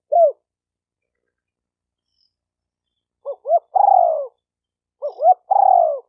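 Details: Spotted dove cooing, a recording meant to stimulate decoy, male and female doves: one short low coo, then two phrases of two quick clipped notes followed by a long, drawn-out, falling coo, with quiet gaps between.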